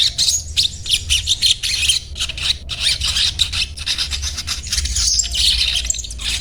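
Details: Sunbird calling almost continuously with sharp, high twittering notes in quick uneven bursts, a busy scratchy chatter over faint low hum.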